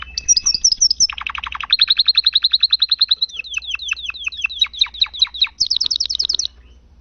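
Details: Energetic domestic canary song used as tutor material: fast trills of repeated notes give way to swooping whistled syllables, then a high rapid chirping tour before the song fades out.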